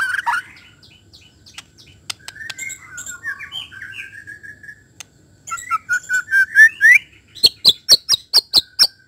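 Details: Varied white-rumped shama song, opening with a loud burst, then sliding whistles and twittering phrases, a rising series of loud slurred notes, and finally a fast string of sharp, high, evenly repeated clicking chips.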